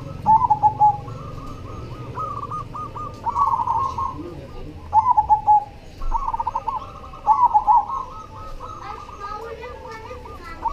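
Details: Zebra dove of the cemani variety in full song: bursts of quick, bubbling coo phrases, each burst opening with a louder stutter, recurring about every two to three seconds against a faint background hum.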